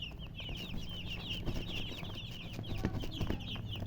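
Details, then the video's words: Baby chicks chirping: a steady stream of high, quick downslurred peeps from several birds, closely spaced, over low background rumble. "Baby "Chicks Chirping" Sound"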